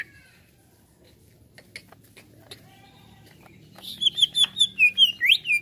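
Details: Greater green leafbird reacting to a played sound: scattered faint clicks and a low hum, then a lively burst of rapid, bright, rising and falling whistled notes.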